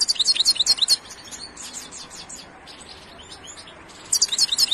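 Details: Goldfinch song of fast, bright, liquid twittering notes at the start, softer scattered chirps through the middle, then another lively high burst at the end.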